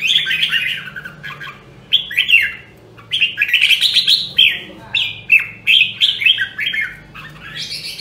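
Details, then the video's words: A red-whiskered bulbul of the rare Nam Đông, Huế type, in voice training, pours out repeated bright, bouncy phrases of rising and falling whistled notes, packed closely together, over a faint background hum. "Luyện giọng Chào Mào Nam Đông Huế Hàng Hiếm Còn Sót Lại ! giọng cực chất"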